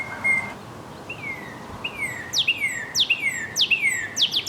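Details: Northern cardinal starting with a few long, drawn-out falling whistles, then speeding into a quicker series of steep downward sweeps.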